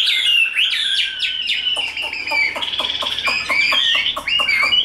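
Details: Tame, big caged Chinese hwamei in đấu xòe fighting display gives swooping whistled phrases while a steady run of dry clicks or taps sounds beneath, roughly four per second.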